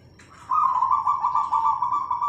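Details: Local Indonesian zebra dove with a clear, crystal-like voice, singing to stir other doves into song: one steady, rolling coo held near one pitch and softly pulsed, lasting about two seconds, with a faint low hum beneath.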